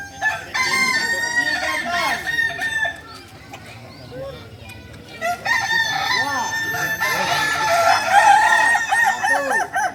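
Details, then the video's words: Singing Kukuak Balenggek roosters native to Solok in crowing performance training; two bursts of loud, layered crowing are separated by a quieter stretch with softer clucks, and the second burst builds into an extended multi-syllable crow. "Latihan prestasi Ayam kukuak balenggek ayam penyanyi asli Solok"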